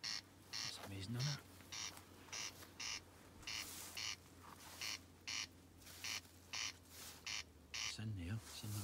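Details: A corncrake at Iona campsite, calling some 15 yards from a tent, gives a steady series of dry rasping notes about two per second; a low hum runs throughout and a voice cuts in near the start and end.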